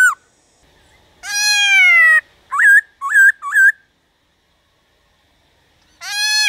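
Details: Black-throated laughingthrush singing to rouse other caged laughingthrushes: a long harsh nasal note, then short looping whistles, silence, and the start of another rough drawn-out note.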